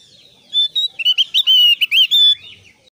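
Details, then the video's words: Lure song of a Javan grey-throated white-eye, meant to prompt sluggish kept birds to sing: a fast run of clear whistled notes, some rising and some dropping, delivered in a tight burst of about two seconds. "PANCINGAN BURUNG OPIOR JAWA SUPER GACOR"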